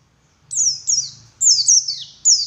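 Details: White-eye singing actively as a lure in the morning: high, thin, descending whistled phrases in separate bursts after a brief quiet start, with a faint low hum beneath.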